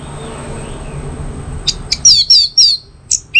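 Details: Orange-headed thrush, North Bali, in tutor and lure song: after a quiet hiss, a quick run of sharp chirps and descending slurred whistles, about four per second, ending in a lower note.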